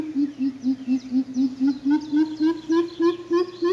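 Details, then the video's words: A group of coucals calls back and forth, answering one another with deep, hollow hoots, about four per second, in a steady run that climbs gently in pitch. "Group Coucal Calling || អែអូតយំឆ្លើយឆ្លងគ្នា"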